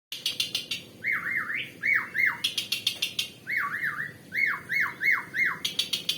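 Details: Asian pied starling singing actively with strange, varied sounds, a bird prized for mimicking people and other birds; repeated wavering, siren-like whistled phrases alternating with sharp clicking bursts, roughly three per second.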